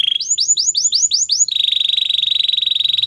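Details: White canary training song: a string of upswept whistled notes, then an even, rapid, buzzing trill held at one pitch.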